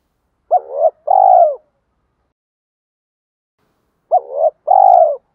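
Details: Captive spotted dove lure recording for provoking males, mixing male and female calls: two phrases, each a brief upswept coo followed by a sustained buzzy, rolling note, separated by a long quiet gap.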